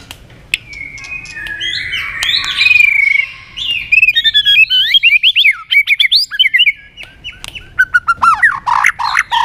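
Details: White-rumped shama giving a fast competitive fighting song while flicking its tail, provoked to sing: a long sweeping whistled phrase, then rapid varied chirps, slurred whistles and trills in quick bursts, rising and falling around high pitches.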